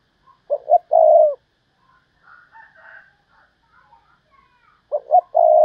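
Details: Lure call of a decoy spotted dove, thúc bổi style, meant to attract wild doves. Two phrases of two short coos plus a drawn-out coo, with faint softer calls in the gap between them.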